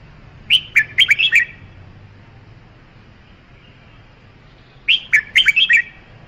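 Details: Two matching phrases from a red-whiskered bulbul, roughly four seconds apart, each a rapid run of five or six bright slurred whistles, with quiet between them.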